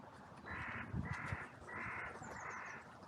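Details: Crows in a cemetery on a sunny day, calling in an outcry after two crows fought briefly. Four harsh, drawn-out caws come at an even pace, each about a third of a second long, over faint background noise.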